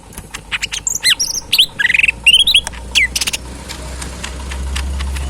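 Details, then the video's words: Tame caged cucak ijo mini leafbird, kept as a pet and fed banana, feed and crickets, singing actively: a quick jumble of varied whistled notes, upslurs and sharp chirps with clicking sounds, then quieter low rumble in the background. "burung cucak mini gacor full yang terbaik"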